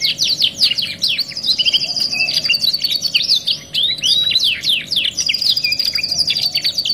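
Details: Canary master song for tutoring, a two-in-one training recording: dense, fast, continuous high chattering and whistled trills with rapid rising and falling sweeps, buzzy rattles and a long sustained high whistled run, with no pauses throughout.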